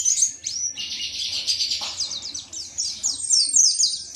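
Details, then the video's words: White-eye (pleci) from Indonesia singing a fast, high, bubbling warble of rapid trilled notes and thin whistles, ending in sharp descending high chips, over a faint low background hum. "Pleci WIKSAR Tembakan MATERI"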